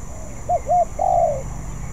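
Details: One spotted dove phrase from a bird still in training: paired short coos leading into a drawn-out, gently falling coo.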